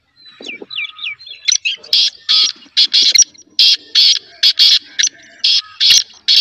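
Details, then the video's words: A black francolin (black partridge, kala teetar) gives harsh, rasping bursts in a rapid, uneven series, with a few thin whistled notes at the start. "Black Partridge Voice/ Kala Teetar Awaaz"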